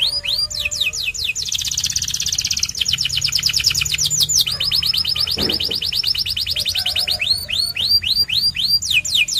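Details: Bright, continuous song of a white canary: upswept whistled notes, then long fast trills in repeated blocks, returning to rising whistles at the end; a brief low thud midway.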